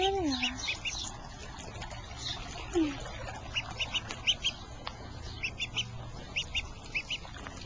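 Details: Distressed duckling calling in short bursts of high, slightly downslurred peeps, two or three at a time with pauses between, alongside a brief human voice and soft background hum.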